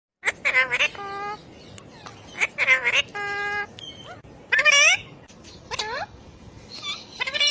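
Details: Pet ring-necked parakeet talking, producing word-like syllables with stacked, rising and falling tones, interspersed with short clicks and sharp chirps, in irregular bursts with brief pauses.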